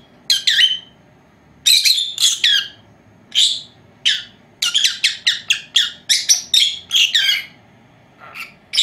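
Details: Two four-month-old female lovebirds indoors at nap time, filmed by an unattended old camera; rapid clusters of shrill chirps and squawks, denser toward the middle, with brief pauses.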